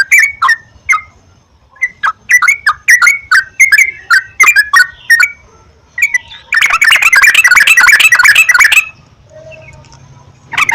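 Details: Sooty-headed bulbul lure sound to encourage singing. Spaced bubbly notes build into a fast run, followed by a dense, loud burst of rapid chatter, then a quieter tail.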